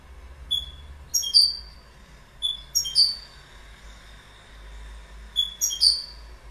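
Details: Goldfinch giving bright, high, clipped call notes in small bursts of two or three, repeated about every one to two and a half seconds.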